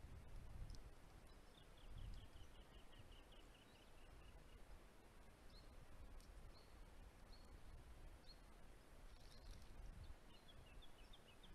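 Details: Sacred kingfisher, a migrant returning in spring to a property in south-eastern Australia, gives a fast series of about ten sharp, high kek notes, slightly falling, then a shorter burst later. The strident call indicates a pair setting up a breeding territory. Steady low wind rumble and faint other birds.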